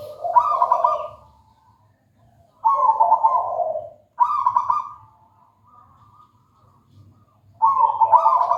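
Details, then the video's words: Local wild zebra dove (perkutut) singing in bursts: four loud vibrating coos, each high note layered over a lower one, separated by quiet gaps of one to two seconds; slight background hum. "Suara merdu perkutut lokal alam gacor"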